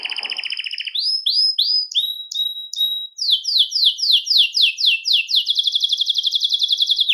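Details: Belgian canary singing to attract and call canaries; buzzy trills, clipped high whistles, a string of descending slurred notes, then a fast even trill.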